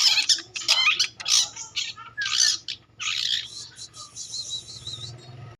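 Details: Long-tailed shrike song: harsh, grating bursts of chatter, then a thin, wavering, whistled phrase held for about two seconds.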